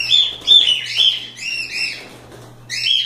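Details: Cockatiels out of the cage having fun chatter in overlapping arched whistled chirps, dense at first then trailing off before a final call, the notes loud and clear against a faint hum.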